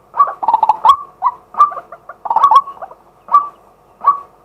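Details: Live daytime recording of a male White-breasted waterhen from a fixed camera: a quick stutter of rough notes, then spaced single rising croaks about every three-quarters of a second.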